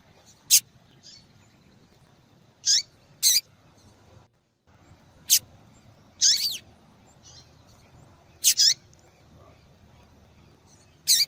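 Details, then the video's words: Female yellow-bellied seedeater calling repeatedly, meant to stimulate a cold male to sing. Crisp high clicks and buzzy downslurred chirps, often paired, come at irregular intervals over a faint hiss. "Fêmea de Papa capim Chamando Para Esquentar Papa Capim"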